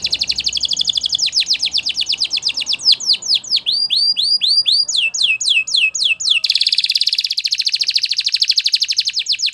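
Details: Singing Belgian canary used for training, with rapid falling whistles that change into arched ringing notes, then a steady fast buzzing roll lasting several seconds, and soft background noise.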